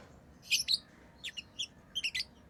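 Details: Tame lovebirds giving brief, shrill chirps: a loud paired burst early, then softer single and doubled squeaks spaced through a couple of seconds over a low steady background hum.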